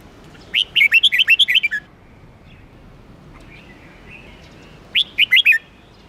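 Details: Sweet, melodious red-whiskered bulbul singing: a long run of about ten rapid bouncing whistles, a pause, then a shorter phrase of four or five notes.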